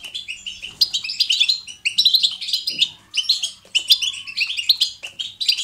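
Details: Goldfinch in 'betbeta' style song used to motivate caged goldfinches: rapid liquid twitters and sharp chirps in short bursts separated by brief gaps, with a faint rising whistle in the background.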